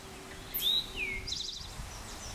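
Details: Male eastern towhee singing at Pleasant Valley Wildlife Sanctuary, Lenox, Massachusetts, on 26 June 2024: a high clear whistle, a lower downslurred note, then a short rapid trill, over faint background hiss.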